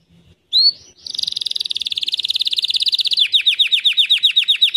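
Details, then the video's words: White canary opening with a single sharp note, then a long, fast, even trill of pulses that slows into distinct repeated downslurred chirps. "White Canary bird Singing 🎶 Kanarienvogel gesang"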